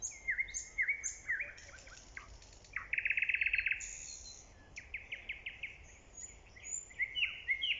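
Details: A nightingale, recorded in early spring, sings varied phrases: sweet whistled notes, a rapid machine-gun burst of repeated clicks, and buzzy trills, over a faint background hiss.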